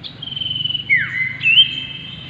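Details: Common iora, Aegithina tiphia, locally cipoh, giving long drawn-out clear whistles: a sustained high tone, a sharply down-swept note, then a rising whistle that levels into a held note.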